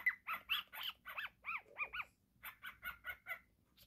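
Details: Short harmonic chirps from a happy, playing pet cockatiel, some clipped and squawky, then a run of arched, rising-and-falling notes, a brief gap and a few more even chirps.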